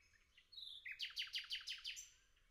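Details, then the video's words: Nightingale in the forest delivers a brief high whistle, then a rhythmic string of about seven bright, rich notes at an even pace, trailing off in a thin whistle. "Пение Соловья в лесу Singing Nightingale in the forest"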